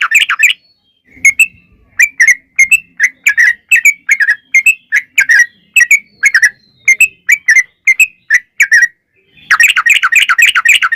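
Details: Yellow-vented bulbul (trucukan) singing 'ngalas ropel panjang' style: a loose string of clipped, slightly whistled chirps at irregular spacing for several seconds, closing with a dense rapid chatter.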